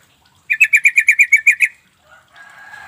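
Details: Sooty-headed bulbul lure call intended to make quiet birds respond: ten rapid, sharp chattering notes in about a second, followed by a soft rustling hiss.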